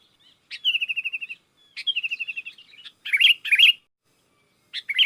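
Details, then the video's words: Sooty-headed bulbul in gacor song that calls in wild bulbuls; two long steady rattling trills of evenly repeated notes, followed by loud, rich, bubbly chirped bursts, in a quiet setting. "Suara Burung kutilang gacor memanggil kutilang liar"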